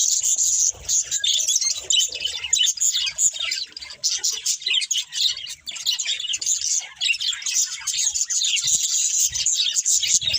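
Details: Budgies chattering while they eat, a long, rolling warble of sharp chirps, scratchy notes and occasional squawks, dense and unbroken, with faint low pecking sounds scattered throughout.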